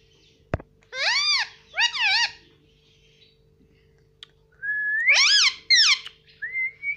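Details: Pet Indian ringneck parrot talking indoors, copying words it has learned from its family. A click, then two rising-and-falling voiced phrases, a pause, more slurred speech-like syllables and a short rising whistle.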